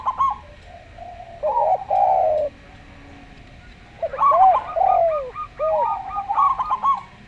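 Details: Local Zebra dove singing slowly with a calm Javan Spotted dove: clipped trilled notes leading into drawn-out falling coos, then a lively run of staccato bursts and short curved coos.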